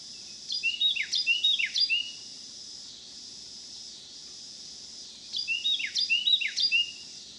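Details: Carolina wren singing on a back deck in Manchester/Ballwin, St. Louis County, eastern Missouri, on July 26, 2018; two bursts of rapid, ringing, repeated phrases about four seconds apart, over a steady high insect hiss.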